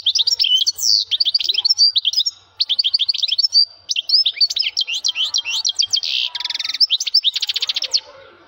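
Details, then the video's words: Male European goldfinch singing strongly: a fast, continuous tinkling medley of liquid twitters, chirps and buzzy trills, high-pitched and bright, without pause for eight seconds. "ذكر حسون مقنين يغرد بصوت قوي - Voix de chardonneret -Chant Chardonneret"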